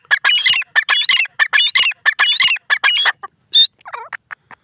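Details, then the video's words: Dakhni teetar (grey francolin), described as a female, giving loud, clear high calls: rapid repeated harsh squeaky notes in bursts of about six per second for three seconds, then scattered squeaks and a whistled note. "peasant bird awaz,saaf and onchi awaz dakhni teetar"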